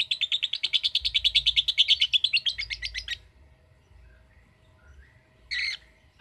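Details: Lovebird giving a 'ngekek' trill: three seconds of rapid, shrill, evenly pulsed chatter, then quiet, and one short harsh chirp near the end.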